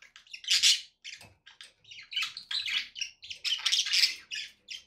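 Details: Budgerigars kept indoors chatter almost nonstop, loud squawky chirps mixed with buzzy warbles and rapid squeaks.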